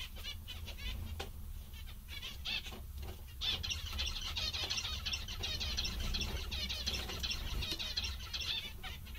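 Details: Zebra finches, described as very happy and funny, give a dense stream of short nasal chirps that overlap and swell midway, many birds calling at once over a steady low hum.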